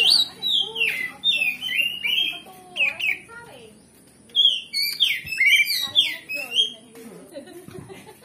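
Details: Oriental magpie-robin in energetic song, used as a lure so a magpie-robin will answer and fight. Phrases of downslurred and looping whistles come in two bursts, separated by a short pause in the middle.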